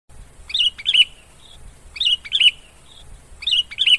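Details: A Sooty-headed bulbul (Pycnonotus aurigaster) repeats a short, bubbly whistled phrase of a few liquid notes about every one and a half seconds, with a faint thin note between phrases. The recording is used as a lure call.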